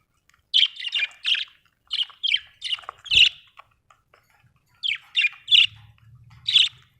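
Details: Budgerigar chirping busily: clusters of three or four quick, bright squeaky notes, a short pause, then another cluster, with one dull knock and a faint low hum near the end.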